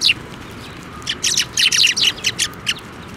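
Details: A flock of sparrows flying to a person's hand for food, Tenmangu shrine, 23 November 2023: an opening sharp note, then a lively string of high, clipped chirps roughly every fifth of a second.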